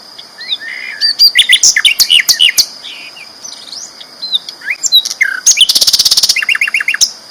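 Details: Champion flycatcher in strong continuous song: a mix of rapid chirps and whistled slurs, a dense buzzy trill, then a short run of quick descending notes, over a steady high hum.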